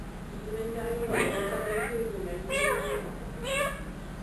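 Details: A trained one-year-old ringneck parrot, a pet kept indoors, mimics speech and a cat's meow: a run of drawn-out, nasal, wavering tones, with brighter strained bursts near the middle and end over a low steady hum.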